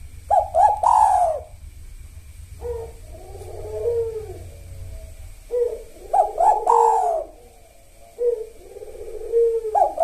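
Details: Spotted dove song of the 'kuk satu' type, played as a sahur lure rhythm before dawn. Bright coos alternate with mellow burring phrases in two full cycles, with a faint low rumble under the first half.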